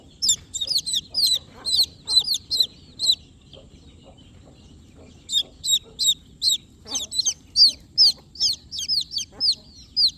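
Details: Newborn baby chicks peeping: bright, high chirps, each with a quick downward bend, come in rapid runs of about two per second. A short silent gap falls in the middle, then the fast peeping resumes until the end.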